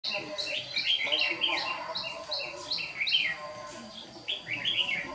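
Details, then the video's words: Red-whiskered bulbuls being lured to a trap trade bright, chirpy whistled phrases several times a second in a morning song duel, two birds seemingly answering each other; faint voices murmur behind; recorded 26 June 2019, Đồng Nai. "Bẫy chào mào Má trắng đấu sáng cầu đánh đuôi như bổi già"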